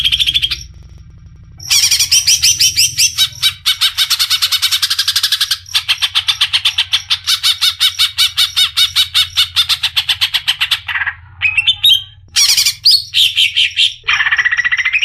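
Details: Cucak ijo, or greater green leafbird, from Indonesia in energetic song: long rapid buzzy rattles in several bursts, interrupted by short gaps and sweeping whistled notes, with a low steady hum underneath.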